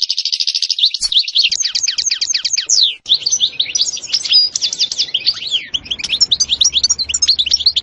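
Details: Song of a European goldfinch in the sitsita and bitbita styles: a rapid high trill, then a run of steep descending slurs and a long lively twitter. A faint low hum is heard toward the end.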